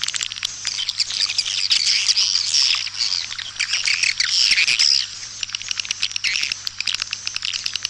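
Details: A white-nest swiftlet calling sound used as a lure for swiftlet houses, tested in East Kalimantan. Steady, thick twittering of high squeaky chirps with a soft low hum beneath, easing into scattered clicks near the end.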